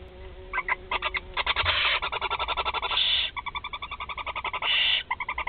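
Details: Barn owl family at a Théding nest during feeding of four young, 16 July 2020: rapid ticking, harmonic chitters in fast runs, broken by two longer rasping hisses.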